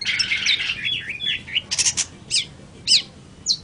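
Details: Long-tailed shrike song: a scratchy, warbled opening phrase, then a few separate sharp downslurred chips and a short buzzy burst, spaced irregularly over a quiet background.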